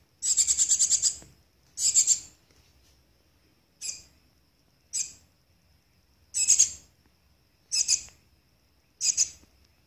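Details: Shiny cowbird chick under human care after infestation by 27 Philornis larvae, giving scratchy, hissing begging bursts, some long and pulsed, others short, spaced irregularly one to two seconds apart in a quiet room.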